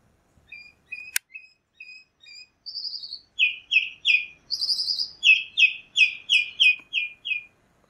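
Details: Chalk-browed mockingbird singing a rapid sequence of thin high notes, then louder repeated buzzy chirps given about three per second, with a brief sharp click near the start.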